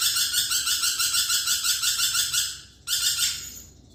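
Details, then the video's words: Lorikeet producing continuous rough, buzzy screeching pulsed about three times a second, cut off briefly and then resumed more weakly. "BURUNG NURI PERKICI GACOR"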